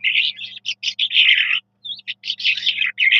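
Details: Eurasian skylark, locally called Jal Mashadi, singing a fast, continuous, high warbling song of buzzy and liquid phrases with brief pauses, over a faint low electrical hum.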